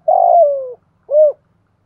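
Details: Spotted dove calling in the 'thổ pha' voice style, a 'gáy gọi' calling coo. A long, slightly rough low coo slides gently downward, then after a short pause a single rounded, arched coo follows. The background is quiet.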